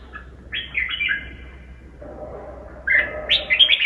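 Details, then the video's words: Red-whiskered bulbul song with a very twisty voice: a warbled phrase early on, a quieter stretch, then a louder run of quick, bright, rising and falling notes at the end, with faint low hum. "kích bổi giọng cực xoắn"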